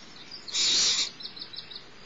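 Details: Smallest barn owl chick at Starr Ranch during a morning feeding by the mother, one broad hissing screech lasting half a second, followed by several soft high ticks.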